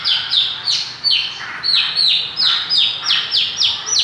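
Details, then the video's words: Mongolian lark singing energetically, giving a steady series of loud, clear notes that each drop sharply in pitch, repeated about twice per second, with softer lower warbling between them. "Burung MONGOLIA gacor"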